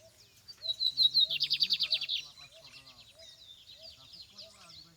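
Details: Lined seedeater singing in the field during an outing: a few high whistled notes, then a loud, rapid buzzy trill of about ten pulses, fading into soft scattered twittering with a faint low hum below.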